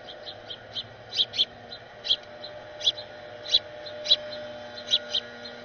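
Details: A house finch family: excited youngsters following their parents beg with thin, high chips, often in quick pairs, about a dozen notes in under six seconds over a faint low hum.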